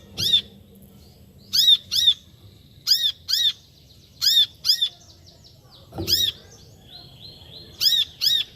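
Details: Brown-throated sunbird repeating piercing, arched chirp notes, mostly in doubled pairs, about ten in all, with faint softer twitters between them and a low knock.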